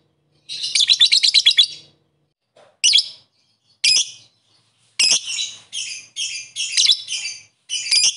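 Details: Lovebird calling to rivals: a rapid rattling burst of harsh, high chattering notes, then short loud screechy calls repeated roughly every half second to second.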